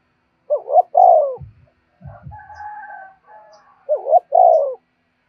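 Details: Spotted dove calling to draw in wild doves, two phrases of a rising note and a longer falling coo, with a softer wavering call and low thumps between them.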